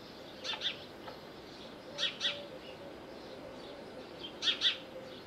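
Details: Little owl at Bostonia Village, Corfu, Greece, giving shrill high double notes, each pair clipped and bright, repeated roughly every two seconds with a fainter single note between; low steady hum beneath.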